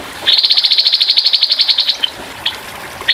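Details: Grey-headed babbler giving a rough, rapid 'tembakan' burst of song over trickling water: a fast, even trill of about twenty sharp notes lasting under two seconds, followed by a few isolated single chips.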